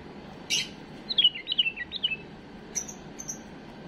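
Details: Tame bulbul singing an error-free song meant for tutoring young birds: a short phrase of four quick whistled, warbling notes around mid-high pitch, framed by brief harsh bursts, over steady low background hiss.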